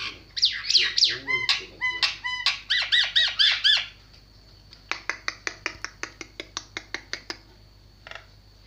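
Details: Javan myna delivering loud grating, harmonic squawks in quick succession for four seconds, then a pause and a long even series of dry snapping clicks, roughly three per second, over a steady high hum.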